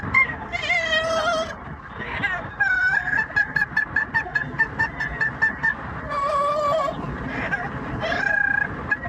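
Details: Caged pet yellow-naped amazon parrot vocalising opera-style on a commute: drawn-out wavering harmonic cries alternating with fast runs of clipped repeated notes, car engine and road noise droning underneath.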